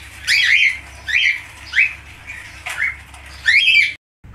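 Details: Budgerigar, falk type, making a series of rasping, upswept squawks roughly every half to one second before a sudden cut to silence, with a low hum.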